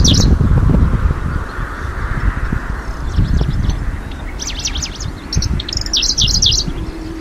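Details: Middendorff's grasshopper warbler in a Hokkaido wildflower meadow, 2023, breeding season: two brief bursts of quick, dry chattering notes late in the recording, heavily masked by loud wind rumble.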